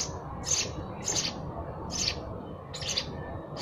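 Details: Sparrow chirping as spaced, high, slightly buzzy notes, about one every half to one second, fairly soft against background noise.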